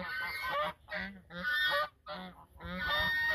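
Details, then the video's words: At the mouth of the Sosúa river in the Dominican Republic, geese call together in a duet, trading rough, nasal honks almost continuously, with only short breaks between the loud harsh bursts. "El canto de los gansos desde la boca del río Sosúa"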